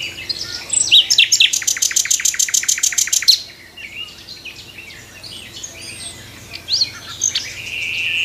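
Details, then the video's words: Common nightingale singing its morning song in a tree: a few high whistles, then a fast, even burst of about twenty rattling notes over two seconds, followed by softer chirps and twitters. "Nightingale morning song"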